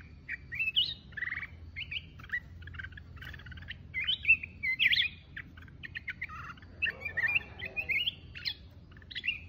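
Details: Solo song of a mountain red-whiskered bulbul: a busy, continuous run of chirpy whistled notes and rolling slurs, dense and varied, over a soft low hum.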